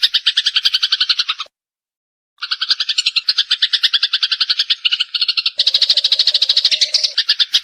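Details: Java sparrow (Padda oryzivora) giving rapid, bell-like chirping notes in fast trills, with a one-second gap partway, then a busier stretch of overlapping chirps.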